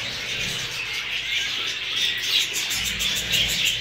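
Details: New Hogoromo budgerigars twittering together, a fast, uneven stream of short raspy chirps with brighter whistled squeaks toward the end.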